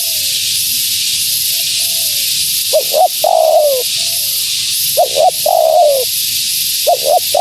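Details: Calling female spotted dove, used to entice wild doves. Faint soft coos open the clip, then loud phrases of paired short hoots and a long falling coo, repeating roughly every two seconds with background hiss.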